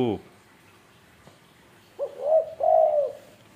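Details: Tame spotted dove from Indonesia: after a brief low voice-like sound and a pause, it gives a soft phrase of a short rising note and two smooth, mellow coos that fall at the end.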